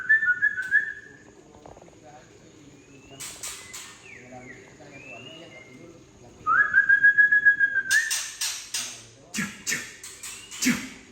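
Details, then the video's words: Harsh 'trek kasar' of a Tangse white-rumped shama, played to provoke juvenile birds: a short trill, quiet gap with faint slurred whistles, then a long level trill followed by rapid rasping chacks. "Trek Kasar Murai Batu Ori Tangse Memancing Emosi Trotol Junior"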